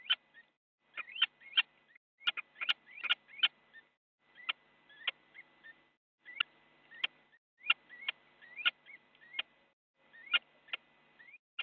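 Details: Little owls brawling in a Netherlands nest box on a January 2017 morning, a bite delivered during the scuffle; bursts of rising squeaks and sharp clicks in clusters, with a short lull midway.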